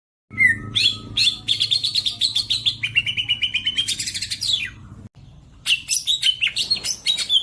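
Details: Greater green leafbird (cucak ijo) from Majalengka, West Java, in a songbird-hobby recording: a loud, varied run of rapid chattering notes and sweeping whistles between 2 and 8k, with a brief pause before a fresh burst of bright, piercing phrases.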